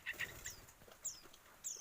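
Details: Begging from a pair of week-old Yellow-vented Bulbul nestlings during hand-feeding: a few quick chirps, then sharp high descending squeaks repeated roughly every half second, with light handling noise.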